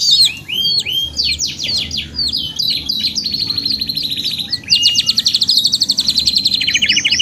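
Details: Kenari therapy recording of a canary in long, lively gacor panjang song: varied high whistles and chirps give way to a loud, even, rapidly pulsed trill that continues to the end.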